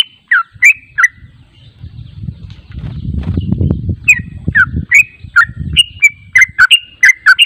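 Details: Bulbul lure, yellow-vented: a few bubbly, slurred notes open the sequence, then a low rumbling, rustling noise dominates the middle before chattering notes resume briskly toward the end.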